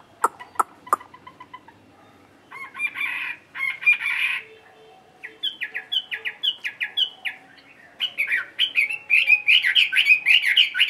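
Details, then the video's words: Midday solo from a caged, tamed Chinese hwamei singing ngũ trường song. A few sharp clicks come first, then buzzy warbled bursts, then long series of fast, ringing slurred whistles delivered in rapid rhythmic runs. "HM 320 ngũ trường siêu mẫu thuần đét solo giữa trưa"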